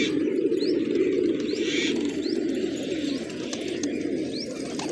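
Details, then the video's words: Feeding village pigeons at morning keep up a low, continuous coo murmur while quick upward chirps of other small birds sound several times. "Cute Pigeons Eating, Playing & Making Funny Sounds"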